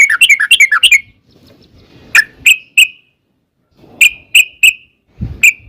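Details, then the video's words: Sooty-headed bulbul lure song to make other bulbuls respond: a quick string of bubbly notes, then spaced single whistled chirps in small groups of three with silent gaps. "trucukan gacor TARUNG ROPEL PANJANG pancingan trucukan agar bunyi jadikan burung trucuk gacor NYAUT"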